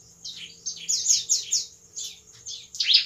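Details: Bar-winged prinia singing at night, a recording used as a lure: high, thin, sweeping notes in short bursts, separated by brief gaps, with a faint low hum beneath.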